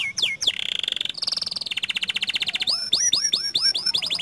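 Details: A panda canary delivers a long rolling song: a few sharp swooping notes, then evenly pulsed trills that step down in pitch, ending with loud upward-looping whistles repeated about five times.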